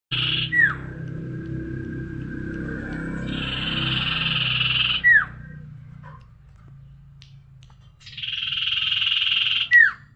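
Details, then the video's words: Tailorbird in a lively njoros-style song: a buzzy, trilled phrase held about one and a half seconds, ending in a sharp downslurred whistle, given twice, over a low humming background. "suara burung sirtu gacor njoros"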